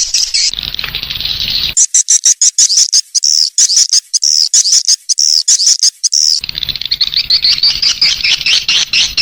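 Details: Swiftlet calls to draw young birds into a new nesting building: hissing twittering, then a run of rapid clicking high chirps, then continuous buzzy chatter over background noise.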